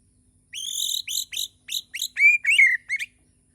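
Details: White-rumped shama singing in the morning, Borneo type: a phrase of bright whistled notes, first clear rising whistles, then quick falling slurred notes, about eight short elements in two and a half seconds.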